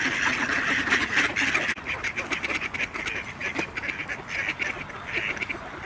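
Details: Khaki Campbell duck flock giving rapid, raspy quacks, loud at first, then after a brief cut continuing as a busy chatter of overlapping nasal calls.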